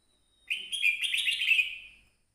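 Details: Red-whiskered bulbul, coaxed by people urging it to sing, gives one bright, high warbled phrase of about one and a half seconds, slightly buzzy and run together, with no voices over it.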